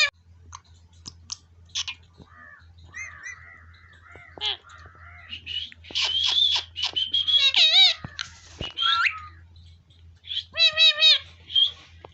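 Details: Village Indian ringneck parrot chattering: scattered clicks and soft notes build into loud, wavering speech-like phrases, rising whistles and harsh bursts, ending with a clear talking phrase, a faint hum underneath.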